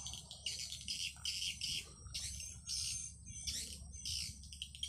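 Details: Swiftlet calling sound played through an amplifier to lure swiftlets: bursts of harsh, buzzy chirping twitters, high-pitched, repeated in roughly half-second blocks with short gaps, over a steady low electrical hum.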